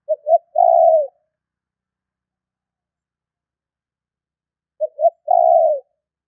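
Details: Spotted dove calling to lure and provoke wild doves: a cooing phrase of two brief low notes and then a drawn-out, gently falling coo, heard twice about four and a half seconds apart in quiet surroundings.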